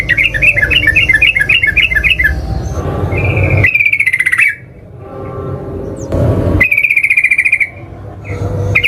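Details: Lure recording of Yellow-vented bulbul singing. It opens with quick bubbly repeated notes, then two long, even, buzzy trills separated by a pause, with steady low background noise.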